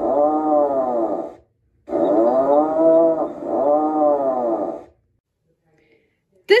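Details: An Atlantic puffin gives two low, moaning groans, the first short and the second about three seconds long with a wavering, motor-like throb, and a brief click ends it.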